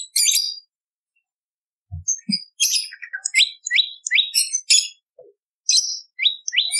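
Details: Bar-winged prinia voice used to lure birds: high scratchy twitters, then spaced sharp descending notes roughly every half second, with soft low knocks between.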